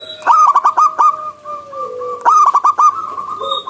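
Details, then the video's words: Wild zebra dove singing outdoors, bursts of quick staccato cooing notes stuttering in fast runs, two phrases separated by a pause, with overlapping steady tonal calls from other birds in the background. "PERKUTUT GACOR SUARA ALAM LIAR"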